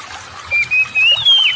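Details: Oriental magpie-robin song meant to trigger reluctant birds to sing: one drawn-out whistle climbing steadily in pitch, broken into a few linked segments, with a soft low background rumble.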